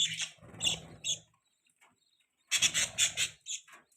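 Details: Baby budgie on a person's hand gives a few short, sharp chirps, falls silent for a second, then bursts into a rapid run of shrill notes, with low handling rustle.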